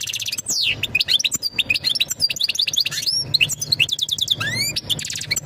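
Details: European goldfinch mating call to prepare a female for breeding: lively high twittering with trills, quick down-sweeping notes and one long rising slur near the end, a low hum faintly underneath.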